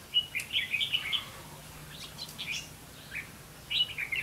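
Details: Red-whiskered bulbul decoy bird used for trapping, recorded 8 October 2016: short bursts of bright, warbled whistled phrases, then a pause and further scattered notes, over a low steady hum and background hiss.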